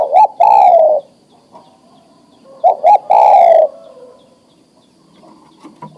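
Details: Male spotted dove, adult and ready to breed, calling for a female: two cooing phrases, each a pair of brief looped notes leading into a sustained downward-gliding coo, about three seconds apart.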